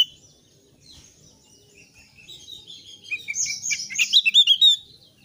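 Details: Thick-billed white-eye song meant as a lure to get other white-eyes singing: faint high twitters at first, building into a dense, rising burst of sharp chirps and trills toward the end.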